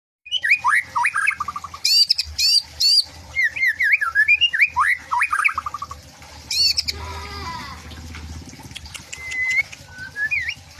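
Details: White-rumped shama singing: rapid sequences of zigzagging whistled notes, sharp high clicks and harsh bursts, then a raspy noisy stretch and a few scattered whistles near the end.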